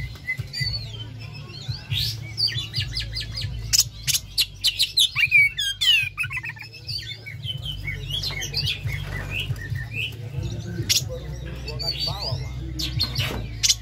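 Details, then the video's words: Oriental magpie-robin kept in captivity, sung as a stimulus to make birds sing: long sequence of sharp chips, rattles and sweeping whistles in irregular bursts, with a continuous low hum. "pancingan Kacer ampuh"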